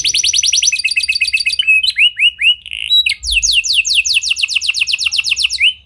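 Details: Canary in full song with unique phrasing, used as a lure to prompt silent canaries to sing: high rapid trills, a run of rising slurred notes, then a long fast series of down-sweeping chips.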